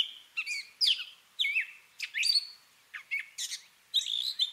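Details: Gray catbird singing and copying other birds, with separate squeaky phrases, sharp downslurred whistles and mewing notes spaced by brief silences.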